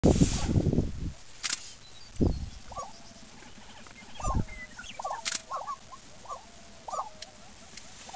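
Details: Lesser prairie-chickens at a lek in Oklahoma, where males display by dancing, inflating pouches and fighting: short, hollow bubbling notes about once a second at mid pitch, between several deep thumps and flutters.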